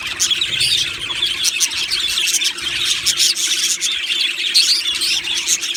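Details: Budgie colony in an aviary: many birds chirp and warble at once, a steady high twittering wash broken by scratchy squeals and quick clicking notes.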